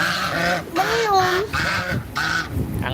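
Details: A domestic goose "singing" on a windy day, which it likes, gives four nasal, bugling honks, one rising then falling, about every half second, over people talking; it has not been fed yet and is looking for food.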